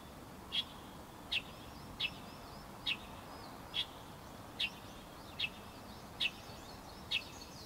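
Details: Repeated sharp high calls of a light-vented bulbul, nine quick notes at just under one-second intervals, with faint chirps from other birds behind.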